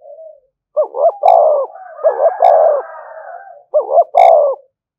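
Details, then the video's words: A spotted dove gives its provoking call, three hoarse coo phrases in five seconds. Each opens with a clipped double note and ends in a longer, slightly falling coo, over softer continuous background cooing. "tiếng chim cu gáy kích bổi"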